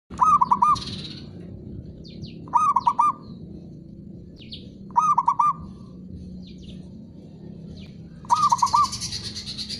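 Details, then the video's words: Zebra dove, local Javanese perkutut used as a training recording for lazy or silent birds: rhythmic pulsed cooing phrases, each a quick series of notes repeated about every two and a half seconds, with high chirping of other birds between. "PENDONGKRAK PERKUTUT MALAS BUNYI"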